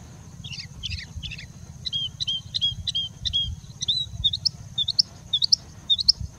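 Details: Singing bush lark (Mirafra cantillans) in India, singing and mimicking other birds: a run of quick high chirps, then a steady series of short rising whistled notes about twice a second, with a low rumble beneath.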